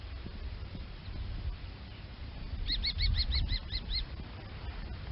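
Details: Common kestrel giving a rapid run of about eight sharp, thin, slightly arched notes in roughly one second, over a steady low rumble of wind.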